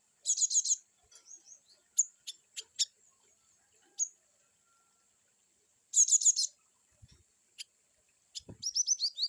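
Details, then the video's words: Cinereous tit (gelatik batu) giving varied wucit chirps: two bursts of rapid, high, buzzy repeated notes about six seconds apart, with scattered sharp single chips between and a rising trill at the end; quiet background. "glatik batu wucit2 bervariasi"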